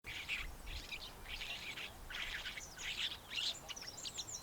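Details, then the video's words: Cape sugarbird giving harsh, scratchy bursts of chattering notes about once a second, ending in a jumble of metallic chips, over faint low rumble. "Cape Sugarbird"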